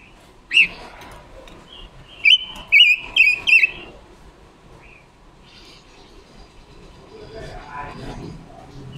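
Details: Red-billed leiothrix female used as a decoy, her song played to lure and trap wild birds, October 2021. One sharp whistle opens, then four quick loud warbled phrases in a row, followed by faint chatter and quiet background.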